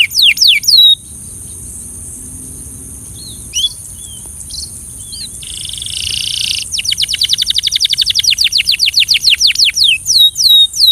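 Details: Singing Belgian canary for training. Falling whistles open the clip, followed by a quieter stretch of soft scattered notes and a buzzy patch, then a long rapid trill of repeated notes ending in slurred sweeps.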